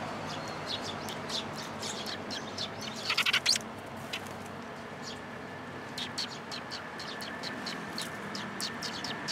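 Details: Sparrows at a Tenmangu shrine on 28 May 2022, coming to get insect food for their nestlings: short, sharp high chirps in scattered series, with a louder burst of rapid chirping near the middle, over a steady low hum.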